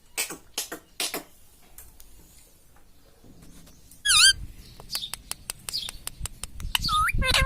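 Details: Pet talking parrot, said to say "mummy": clicks, then a sudden wavering harmonic call, more ticks, and a short rising squeal at the end.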